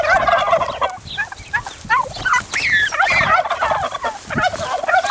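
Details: Turkeys fighting over territory, giving loud, rapid, rattling gobbles. The gobbles come in quick wavering bursts, overlapping almost continuously with brief dips in between.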